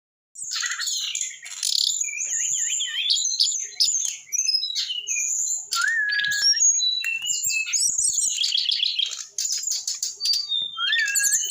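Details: Eight-month-old brown-chested jungle flycatcher singing its rock n roll style: a dense, nonstop run of high whistles, trills and rapid twittering notes, with a lower slurred whistle near the middle and again near the end.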